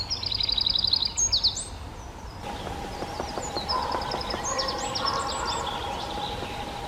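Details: A Eurasian wren (Troglodytes troglodytes) in the Czech Republic bursts into a loud, very fast, high rattling trill for about a second and a half, followed by fainter chirps from other birds over steady background hiss.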